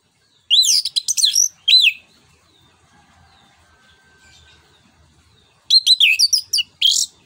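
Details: An orange-headed thrush gives a loud, full-voiced song used as a lure or master song for training songbirds: two bursts of rich, fast whistled phrases with sweeping notes, separated by several seconds of near quiet.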